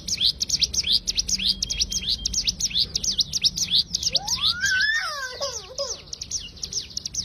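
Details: Cigun firing its tembakan song, a master recording for songbirds: a fast chatter of high, sharp notes, joined midway by a lower, drawn-out, descending whistle from another sound before the rapid chips carry on.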